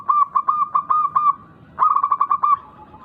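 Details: Song of a local wild-type zebra dove with a rare rhythm, used as a lure to draw replies from other doves. Two bursts of rapid staccato coos, about six and then seven notes, are split by a short silence.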